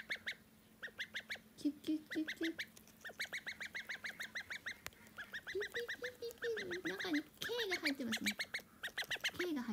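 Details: Pet call duck duckling whose voice changed during a three-hour absence: dense, fast high peeping throughout, with occasional lower wavering quack notes that dip in pitch, stronger in the second half.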